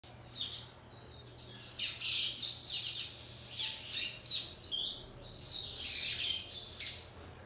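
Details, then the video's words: A female seedeater (papa-capim) behaving like a male and singing: fast, twittering, high-pitched phrases of varied chirps and trills in quick bursts over a faint low hum. "Fêmea de papa capim macheando e cantando!!!"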